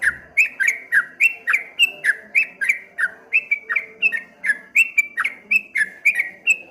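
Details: Quick, rolling whistles from a streak-eared bulbul in ropel ngombak banyu style, about three notes per second, each note dipping then rising, continuous throughout.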